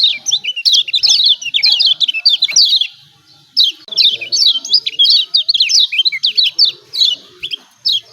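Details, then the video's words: Lombok yellow white-eye chattering used to coax quiet birds into singing; dense runs of sharp, high, rapidly repeated chirps in bursts of one to three seconds with brief gaps between. "CIAK CIAK JOSS KECIAL KUNING AMPUH||PANCINGAN KECIAL MALAS BUNYI||"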